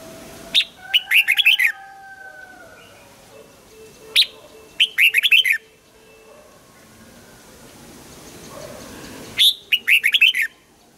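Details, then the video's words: Red-whiskered bulbul delivering wild-style double-note song during morning voice training: three short bubbly phrases, each a sharp opening note plus a quick warbled run, separated by pauses with faint, steady, low tonal sounds behind. "Luyện giọng cho chào mào hót sáng, ép chào mào hót âm kép già rừng hay tuyệt!"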